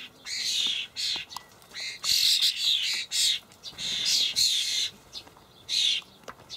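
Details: Young common starlings being fed dried buffalo worms by their parents in a Hamburg allotment garden on 28 May 2012: about nine harsh, hissing screeches in quick succession, each a broad rasping burst, with brief quiet gaps.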